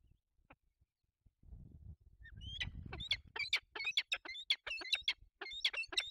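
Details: Peregrine falcon at the nest in the Barycz Valley, dated 16-04-23, a bird leaving empty-handed. After a quiet start and low rumbling, harsh, scratchy calls repeat rapidly and irregularly, more than two per second, growing louder toward the end.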